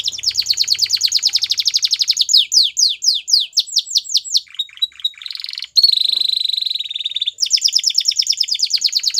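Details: Belgian canary in full song, moving from a very fast rattling trill to slower downward-sweeping whistles, quick chirps, a sustained buzzy rattle, then another rapid trill.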